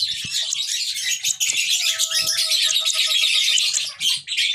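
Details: Young lovebird giving rapid, high chattering chirps that run almost without pause, with a faint steady tone and a few soft knocks underneath.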